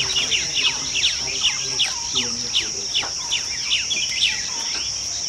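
Chestnut-tailed starlings give a busy chatter of short, squeaky, down-slurred notes, several birds overlapping, over a steady high insect drone.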